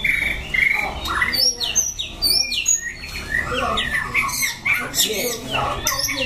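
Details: White-rumped shama recorded in Dak Lak in September 2015: a busy mix of high whistles, harsh squawk-like notes and quick downward slurs, overlapping and varied, with a faint low hum underneath.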